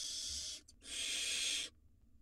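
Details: Wild barn owl nestlings in a nest box, two swallowing rodents at once; two long, breathy rasping hisses back to back, the second nearly a second long, then quiet.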